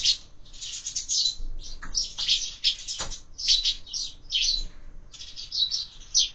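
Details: Sparrows at a window-mounted feeder during breakfast, birds fed there year-round; dense overlapping high chirps and twitters from several birds, short bursts almost continuous, with a few soft knocks and thumps at the feeder.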